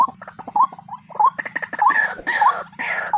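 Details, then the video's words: Waterhen (jal murgi) calling: a run of short, upslurred, nasal notes repeated about twice a second, with harsher, broader bursts toward the end. "Jal murgi ka #Sound & called #water hen called & voice"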